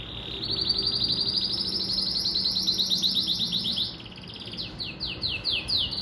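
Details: Pintagol, a hybrid of a Venezuelan siskin and a female Belgian canary, singing long, fast, high buzzy trills of rapidly repeated notes for about four seconds, then switching to slower, sweeping downslurred notes repeated roughly twice a second.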